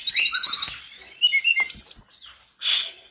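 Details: Short burst of mountain tledekan song that triggers other tledekans to reply: quick high twittering notes, a few sliding whistles, and a final harsh buzzy note.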